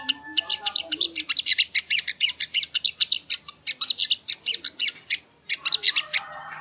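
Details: Sogo ontong used as training audio for songbirds: a continuous fast stream of sharp, high chirps with a few thin slurred whistles, briefly pausing near the end before resuming.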